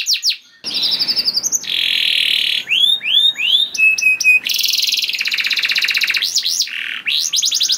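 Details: Canary singing as a prompt to get other canaries singing: long buzzy rattles and dense rapid trills alternate with a few upswept whistles and short piping notes, a loud, high, unbroken song with a faint hiss beneath.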